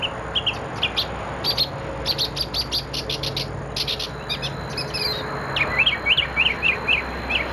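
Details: Mockingbird singing on an October evening at 17:30: bursts of short, high chirps and whistled notes, then a run of rapid, rising-and-falling chirrups repeated about twice a second, over low background rumble.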